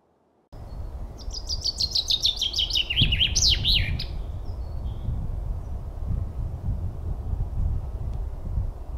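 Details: Chaffinch song over steady low rumbling background noise: a rapid descending series of high notes ending in a looping flourish, the rumble continuing afterward.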